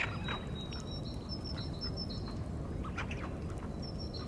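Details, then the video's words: Tufted duck mating call: a quick chain of high, thin whistles for about two seconds, a pause, then a short renewed burst, set against steady low-pitched rushing noise. "Tufted Duck Sounds"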